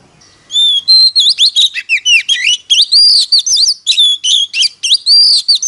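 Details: A magpie-robin lure bird sings competitively. It opens with a few long pure whistles, then breaks into a long, unbroken torrent of varied swooping and chattering whistles.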